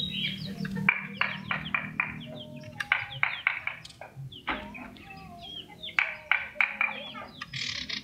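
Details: A small yellow captive common iora, hand-raised from a chick, chatters busily, a quick run of sharp, bright notes and short trills delivered almost without pause, over a faint low hum at the start.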